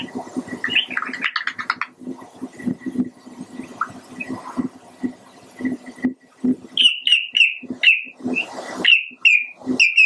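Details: Pied avocet: after several seconds of low rhythmic thumping and a brief squeaky burst, loud ringing piping notes repeat rapidly, roughly three per second, in the closing four seconds.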